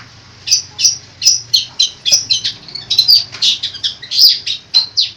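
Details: Long-tailed shrike (cendet) singing rhythmic sharp chips that speed up into a varied chatter of mimicked notes and squeaks.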